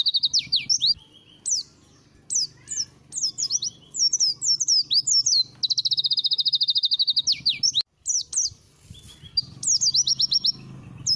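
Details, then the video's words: White-eye song used as training material, given the local style name Langa Lingi: high, rapid strings of sharp chirps and sweeping notes with fast trills, broken by short pauses. "Pleci materi Langa Lingi"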